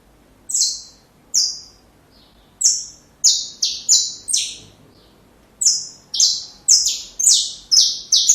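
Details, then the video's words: Song of a saffron finch, recorded as a model for young birds to learn: spaced single high, slurred notes, then a tight cluster of five, a two-second silence, and another quick burst of about six piercing notes. "Canário da Terra Canto Perfeito Para filhotes"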